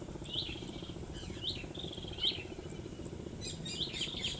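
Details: Shorebirds calling along the mangrove beach of eastern Aceh, Sumatra, Indonesia: sharp, high notes with quick downward slurs, several in a row, then overlapping calls from more birds, over a constant low droning background.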